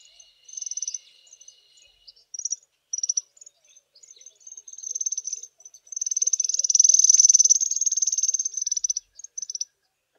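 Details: Small group of African firefinches sitting in the sun on a chilly morning in South Africa: high, thin twittering and trilling notes, with a dense rapid trill in the middle.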